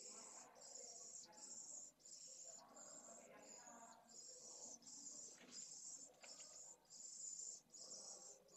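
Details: Pallid swift nestlings begging at their nest on a live camera in Jerez de la Frontera, September 8, 2022: strident, high buzzy calls in rapid short bursts, with scraping and low movement sounds throughout.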